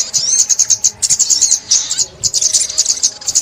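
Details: Sunbird, 2021: clear, needle-thin chirps repeated rapidly in three short bursts, each a run of evenly spaced high notes with small pauses between bursts.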